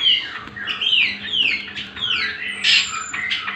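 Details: Cucak kombo, greater green leafbird, giving master song for teaching other birds: a series of clear downward-swooping whistles roughly every half second, then a louder burst near the end, low hum in the background.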